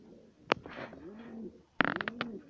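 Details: A home-bred satinette pigeon, one of a fancy pair, gives low, soft, wavering coos in two short bouts, broken by sharp knocks and clatters nearby.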